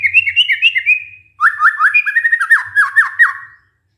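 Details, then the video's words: White-rumped shama (murai batu) lure song for stressed birds that stopped singing: a high run of rapid rippling notes, a pause, then a lower, rhythmic series of falling chirps that fades out. "pancingan murai batu macet bunyi karena stres"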